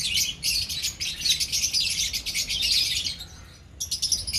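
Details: A colony of lovebirds giving dense, shrill, high chattering calls in a near-continuous stream, easing briefly near the end before resuming, over a low background hum.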